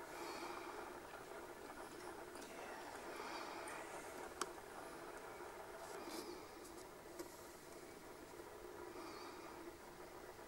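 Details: A black grouse in the Scottish Highlands in June 2014 gives a steady, low bubbling murmur that runs on without a break, with a few sharp clicks and faint higher sounds over it.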